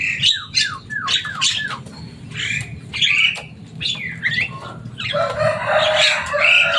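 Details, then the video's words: Kept Javan myna, noted for its loud voice and talent for copying speech, gives a run of short squawking notes with downward slurs about every half second, ending in a dense harsh chattering burst. "Burung jalak kebo selain suaranya yang rame ada kelebihan nya bisa bicara"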